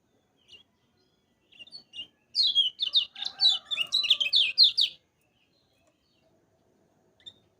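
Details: Lemon-bellied white-eye tutor recording for birds learning to sing: a few isolated high chips, then a lively two-and-a-half-second run of sharp, rapid, descending whistled notes, ending in a single late chirp.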